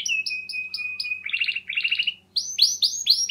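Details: Canary in clear song, meant to coax reluctant canaries to sing: a long steady whistled note, then buzzy rolling trills, then loud repeated sweeping chirps in quick succession.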